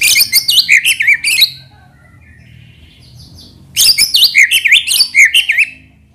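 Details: White-rumped shama lure recording with isian fill-in phrases to stir other birds to sing: a fast burst of high zigzag chattering notes, a gap of about two seconds, then a second similar burst.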